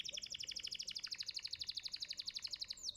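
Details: Canary of champion contest standard singing a tutor phrase: one sustained, very rapid, even trill of bright high notes lasting about three seconds, ending with a quick upward flick.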